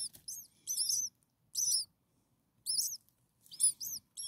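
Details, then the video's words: Six common starling nestlings a few days old, hungry in the nest: loud bursts of piercing, slurred double chirps from several chicks together, each burst lasting under half a second with silent gaps between. "Hungry Six Starling baby birds"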